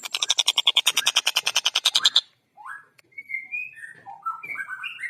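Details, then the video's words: Long-tailed shrike singing actively in a fast, dense style. A rapid rattle of harsh, buzzy notes lasts about two seconds, then a pause, then a varied run of short whistled and slurred notes at different pitches. "Masteran Burung Tengkek Buto Gacor Suara Jernih Speed Rapat"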